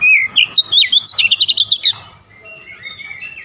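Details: Kacer, the Oriental magpie-robin, in 'nembak' song showing its learned repertoire: a sliding whistle, then a fast run of clipped repeated notes, ending with soft quiet whistles.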